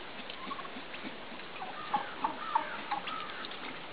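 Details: A receptive Midget White hen and a displaying tom during mating; four short, clipped yelps at a steady mid pitch about every third of a second, after quieter scattered notes.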